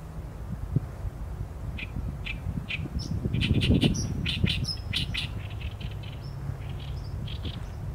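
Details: Oriental reed warbler song, filmed on a Sony A7M3 with a 200-600mm lens: a steady stream of rasping, croaking notes in fast irregular series, several sharp high accents, and a low rumble swelling midway.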